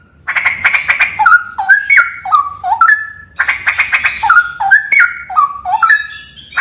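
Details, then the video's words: Loud straw-headed bulbul song from a haunted cave: a fast rattling burst, then a run of clear bubbling whistles that drop and climb in steps. The pattern repeats twice. "MP3 suara cucak rawa"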